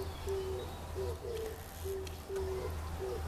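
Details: Low, muffled coos from an Oriental turtle dove perched in a tree in Kyoto Imperial Garden, in the new green of May 2014. Short and longer notes alternate in a halting, repeated pattern over a constant low rumble.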